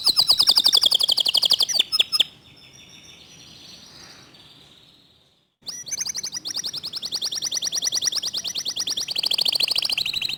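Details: Clear-voiced local canary delivering dense, speedy 'tembakan' phrases: a rapid high trill, a few seconds of near quiet, then a long, unbroken fast trill that holds steady to the end.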